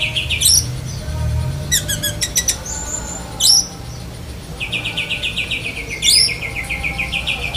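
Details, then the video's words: Black-breasted Oriental magpie-robin mimicking other birds, including lovebird: sharp rising squeaks and clicking ticks alternate with long, rapid trills of evenly repeated notes, each trill ending in a harsh upward squawk. "Kacer DAHIT besetan kapas tembak sambung lovebird"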